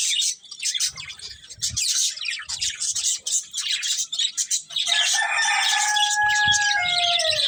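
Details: Budgerigar breeding pair chirping in rapid, high, scratchy chatter for about five seconds. A long, drawn-out call with layered tones that slowly falls in pitch then takes over to the end.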